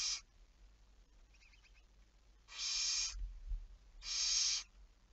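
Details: Barn owl on 11 May 2019, 23:34: a rough hiss cut off at the start, then faint quick ticking, then two long, loud, breathy screeches about a second apart.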